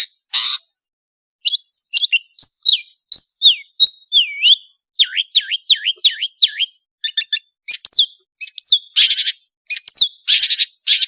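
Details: Long-tailed shrike, locally called cendet, singing actively on a training recording. A buzzy burst is followed by a series of whistled notes, many slurring down and back up in a swooping shape. Fast clipped twitters and harsh rasps close it.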